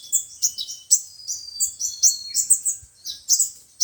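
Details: Playback of sunbird song for trapping: a busy stream of high, squeaky chirps and twitters, with a brief thin falling whistle near the middle.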